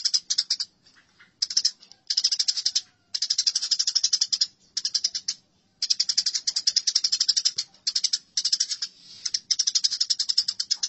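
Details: Fighting house sparrow chatter used as masteran, made of repeated stretches of fast, grating chirps lasting one to two seconds each, with brief gaps between them.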